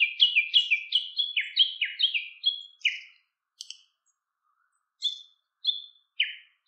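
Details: Siberian long-tailed rosefinch, filmed while feeding on goldenrod, giving a rapid run of high, sweet chirps that fall slightly in pitch, then a few spaced single notes after a short pause.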